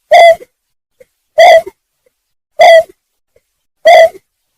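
Greater painted-snipe giving loud, hollow, owl-like hoots, four evenly spaced notes about every second and a quarter, each short and slightly nasal; nothing else heard.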